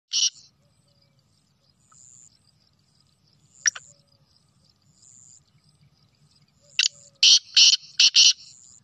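A black francolin gives a loud, grating phrase of five harsh, rasping notes near the end, after a few isolated scratchy notes, over a faint high insect-like hiss.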